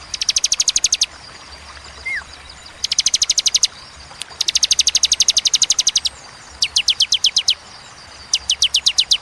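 Bar-winged Prinia giving fast trains of sharp, high, metallic notes, about a dozen per second, in bursts of roughly a second separated by short pauses.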